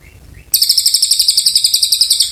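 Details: Oriental white-eye delivering a shrill, rapid trill of evenly pulsed high notes lasting nearly two seconds, preceded by a soft, faint higher chirp.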